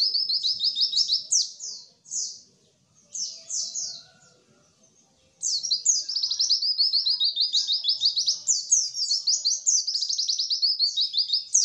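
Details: White-eye singing, used to stimulate reluctant captive birds to sing and imitate: short bursts of quick, high, downslurred chirps separated by quiet spells, followed by a sustained, energetic stream of rapid twittering notes.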